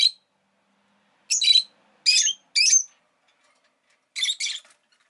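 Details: Rosy-faced lovebird pet giving a series of clipped, raspy chirps in twos and threes, separated by brief silences.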